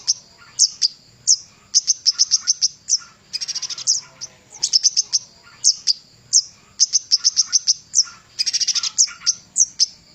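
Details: Master recording of a Javan cochoa for training songbirds: repeated strings of fast, high, sharp chirps, each run lasting one to two seconds with brief gaps, including a buzzy rattled phrase.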